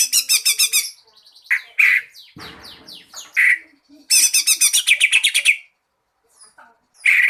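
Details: Lure song of a green leafbird, used to set other birds singing: fast pulsed trills, sharp downslurred chips and a brief rough scratchy note, in loud phrases with short gaps.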